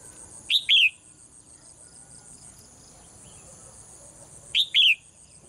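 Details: Thai caged female bird singing in the morning: two-note chirps, a short note then a longer downward slur, given twice about four seconds apart, with steady high hiss throughout.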